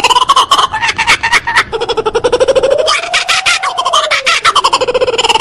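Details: Scary-sounding kookaburra song of rough, rapid chuckles in irregular bursts, with a hooting note that rises and then falls slowly beneath the cackling in the second half.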